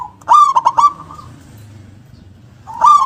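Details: Local zebra dove, an active singer with a big, punchy 'kung' note: a rapid burst of three or four clipped coos drawn into a long purr, with a new phrase starting at the end.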